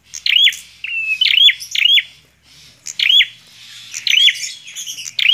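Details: Energetic bar-winged prinia song used to challenge another prinia, made of scratchy, swooping buzzy notes delivered in quick bursts with a short pause midway.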